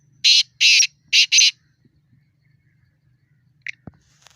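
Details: Black francolin calling in a fight context, four loud harsh, grating notes in quick succession, then quiet with a faint click and low hum.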